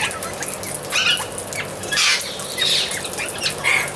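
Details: Amazon parrot giving harsh, raspy squawks in short loud bursts roughly once a second, set against a busy background of many small birds chirping and twittering.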